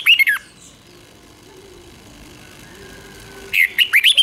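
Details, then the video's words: Red-whiskered bulbul doubled-style song for young birds to copy: a quick burst of whistled notes, a pause of about three seconds with faint background hiss, then another short run of looping whistles. "เสียงนกกรงหัวจุกเบิ้ล2 ก๊อปติดง่ายสายปั่นลูกนกไม่ควรพลาด"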